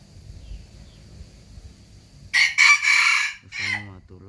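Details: A quiet stretch gives way to a single loud, hoarse rooster crow in several ragged segments, followed by a lower human voice.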